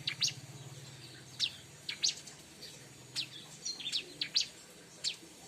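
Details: Bar-winged prinia song used for luring birds: sharp high chirps spaced irregularly, sometimes singly, sometimes in quick pairs or clusters, over a faint low background hum.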